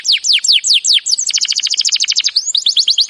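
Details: Canary training song: fast descending whistled sweeps from high to low, then a rapid even trill of short notes near 3–5k, ending in quick rising-falling chirps; no other sounds.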